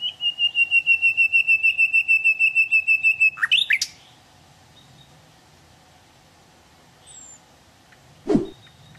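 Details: Hill blue flycatcher singing in the wild: a sustained, steadily pulsed high whistle lasting about three seconds, ending in a couple of sharp upslurred notes. Near-silence follows, broken by one brief, sharp thump.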